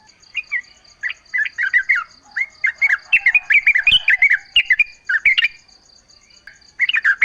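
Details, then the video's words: Yellow-vented bulbul in full, constant song, recorded in natural surroundings and used as a lure to make other bulbuls answer; bursts of bubbly, chattering notes come in quick runs, with a steady high insect-like hum behind. "trucuk gacor full suara alam ampuh buat pancingan agar bunyi jadikan trucukmu gacor nyaut"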